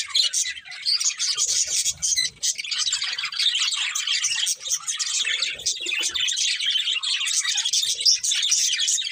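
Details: Group of budgies chattering nonstop, a thick wash of bright squeaky chirps and warbling notes that rises and falls slightly in loudness.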